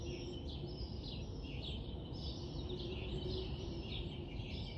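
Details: Robin singing in the morning: short, high chirped notes that slide downward, repeated in a steady series about every half second, over a constant low rumble of background noise.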